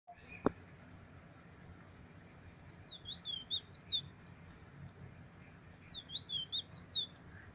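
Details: Bullfinch singing in a 'swing to roll' style, recorded 13 July 2020: two brief bursts of rapid, high, whistled notes about three seconds apart, over steady background noise, with a sharp click near the start.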